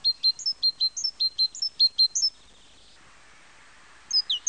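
A common chaffinch gives a brisk series of high, sharp chipping notes for about two seconds, then pauses before starting again.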